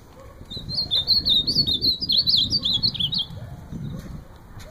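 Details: Ultramarine grosbeak delivering a rapid, looping whistled warble of high notes lasting about three seconds, over a low rumbling background.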